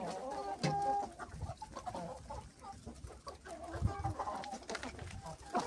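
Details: Hens and roosters pecking at something white, giving low repeated clucks and soft murmuring calls with brief tonal notes, with scattered pecking and handling thumps throughout.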